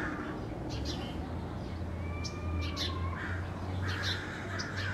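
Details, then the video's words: Angry neighborhood crows give scattered coarse caws, clustering toward the end, while a clear whistled note slides by midway over a steady low hum. "Angry Crows in the neighborhood"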